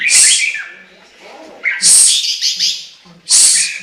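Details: Chinese hwamei singing: loud, harsh, bright bursts alternate with short whistled notes that slide downward, in three phrases separated by brief pauses.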